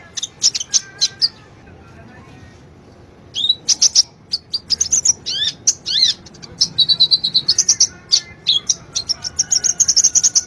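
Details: Sunbird lure song for a bird that rarely sings, opening with quick high chips, then after a silent gap an energetic stream of slurred whistles and rapid twittering trills.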